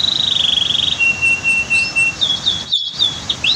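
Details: Canary tutoring song near a waterfall and dam: a fast rattling trill, a long flat lower whistled trill, then short high slurred notes after a brief silence.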